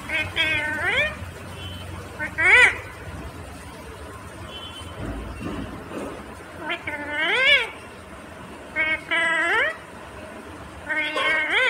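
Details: Green Indian ringneck parakeet talking: bursts of shrill, voice-like harmonic phrases with rising and falling pitch, spaced irregularly with quiet gaps between them and low background hum.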